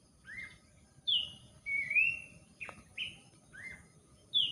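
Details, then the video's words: Abbott's babbler song heard during gardening, a sequence of seven clear whistles, some rising and some falling, with one long level whistle near the middle, spaced roughly half a second to a second apart. "berkebun di temani burung pelanduk semak"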